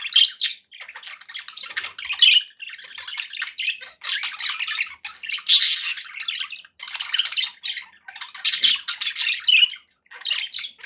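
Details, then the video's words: Several pet budgerigars in cheerful company keep up a busy stream of raspy, warbled chatter and squeaky chirps, rising in louder bursts roughly every second. "9 hours of budgie sounds to keep your pets in happy bird company"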